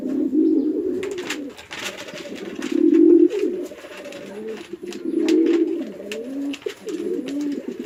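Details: At a village pigeon farm in Chittagong, Bangladesh, a male and female pigeon attack each other: three loud throaty coo phrases about two seconds apart, with flapping and scuffling noises between them.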